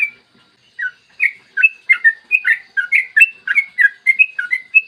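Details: Yellow-vented bulbul singing clearly in the morning, in the long 'ropel' style used to draw other bulbuls into song: after a short silence, a steady flow of gurgling, whistled notes.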